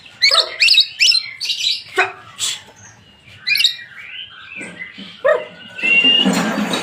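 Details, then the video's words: White-rumped shama song used as a lure to rouse other birds into singing: loud bursts of varied chirps and sharp upslurred notes, with pauses between phrases and a harsher rasping passage at the end. "Pancingan murai batu 🔥 Naikan emosi burung auto ikut gacor"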